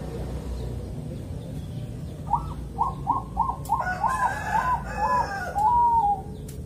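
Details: Bangkok zebra dove, Kediri, East Java, calm morning song used to set other zebra doves singing: a run of staccato coos ending in a long note, partly overlapped by a louder, harsh call in the middle.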